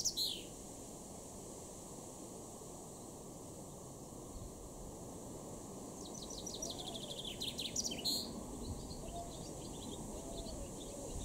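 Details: Male chaffinch singing in a garden in Weener, East Frisia, far northwest Germany, in July 2022: one rapid descending series of bright notes ending in a sharp flourish, after a quiet stretch, over steady low background hum.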